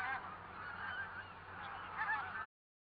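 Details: Pink-footed geese flock in Norway, many overlapping nasal honks forming a constant din that swells slightly near the end before cutting off.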